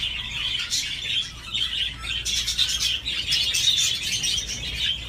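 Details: Budgerigar playing on a swing, giving an unbroken chirpy warble with scratchy squeaks and clicks, growing busier toward the end, over a soft background hum.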